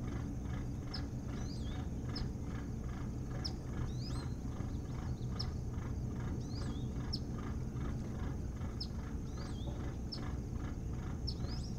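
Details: Osprey at its nest on Hog Island near Bremen, Maine, picked up by a boathouse nest camera on 3 August 2018: short, sharp, high chirps with a few swooping notes, repeated about every second over a steady low rumble.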